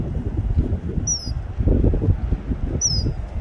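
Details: Common kingfisher male calling to a mate, two sharp high piping whistles, each sliding downward, spaced under two seconds apart against loud rushing water.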